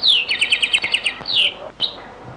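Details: European goldfinch singing in the Beni Messous 'les avocats' (zaboka) song style, from a very old recording: a fast run of bright, repeated trilled notes followed by a sweeping twittered phrase and a short sharp note.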